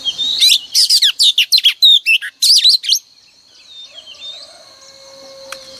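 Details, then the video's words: Morning lure song of a female oriental magpie-robin, meant to spur males to sing: about three seconds of dense, rapid whistles, slurred chirps and warbled notes, then fading into a quiet, thin high hum. "Kích choè than trống cực căng mỗi sáng | Choè than mái mồi quá hay"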